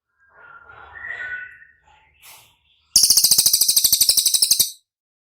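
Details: Cililin recorded to get caged birds to respond: soft whistled notes first, then an intense, very high trill of quick, evenly repeated pulses lasting nearly two seconds.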